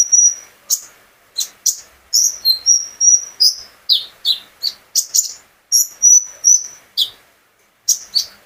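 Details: Sunbird singing at home to prompt other birds: sharp high chips alternating with level thin whistles, steady rapid delivery with a couple of short pauses.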